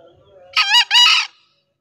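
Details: Green junglefowl crowing in the morning: one loud, hoarse two-part crow, a short first syllable and then a longer, harsh second note, close to the microphone, with faint background birds just before it.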